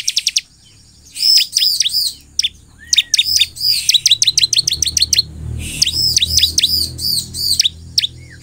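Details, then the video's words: Bar-winged prinia in full chattering song, used to make other prinias respond: bursts of sharp, high downslurred chirps repeated rapidly, some arched whistled notes, with pauses between phrases and a faint low rumble beneath. "SEKALI PUTAR SUARA CIBLEK GACOR INI Di jamin semua CIBLEK Bakal langsung merespon"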